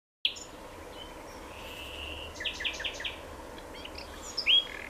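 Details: Common nightingale singing: a long steady whistle, then a short burst of rapid repeated notes and a final bright flourish, separated by quiet pauses over a faint hiss.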